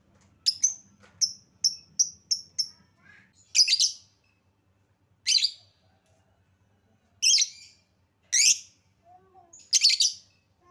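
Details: Lovebird lure sound used to make lovebirds sing: a quick run of short, high, repeated ticking chirps, then louder harsh buzzy squeaks spaced one to two seconds apart.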